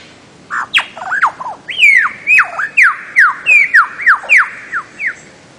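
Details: A bird-of-paradise, linked to Papua and the Aru Islands of Maluku, gives a loud series of about ten clear downslurred whistled notes, each dropping steeply, spaced roughly every third of a second after a few shorter opening notes.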